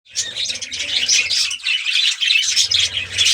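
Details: Colourful budgerigars in a breeding colony chirp densely: overlapping high, scratchy twitters run almost continuously, with a brief lull in the middle of the clip.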